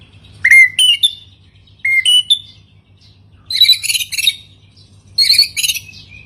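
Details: White-rumped shama singing in separate bursts: crisp rising whistled notes alternate with harsh, buzzy, rattling phrases, four bursts about every second and a half, over a faint hum.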